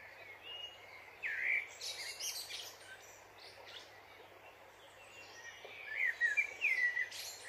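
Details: Dipper with bright, high chirped notes and short rising-falling whistles in two bursts, near the start and again toward the end, over a steady rushing hiss of running water.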